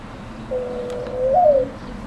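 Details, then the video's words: A newly resident mourning dove cooing: a mellow, hollow, level tone that rises briefly and then slides down, louder toward the close, over quiet outdoor background. "morning dove"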